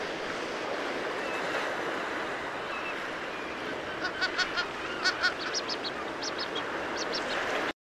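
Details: A kelp goose (Chloephaga hybrida) gives a quick run of short, nasal, high notes over several seconds, partly drowned by steady crashing surf.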